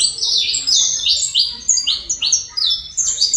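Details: Colombian saffron finch song: loud, high, rapidly repeated chip-like notes, each falling slightly in pitch, packed closely over a few seconds.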